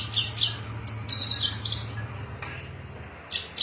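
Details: Javan bush lark of Cilacap origin in cing ciu song: two sharp chips, then a dense burst of buzzy high warbling notes, pauses, and closing clicks, over a constant low drone.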